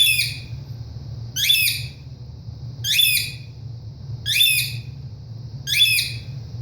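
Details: Caged pet ringneck parrot left alone in a room giving a run of five loud, grating squawks at fairly even intervals of about one and a half seconds, with constant low humming background.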